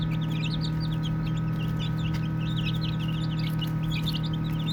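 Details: Several playing baby chicks peep constantly. Short high notes slide downward, come in quick clusters about three a second, and pause briefly in the middle. A continuous low droning hum sits underneath.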